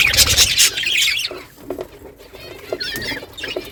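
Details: Morning budgerigars talking to each other: a loud burst of harsh chattering squawks, then softer scattered chirps and short warbles.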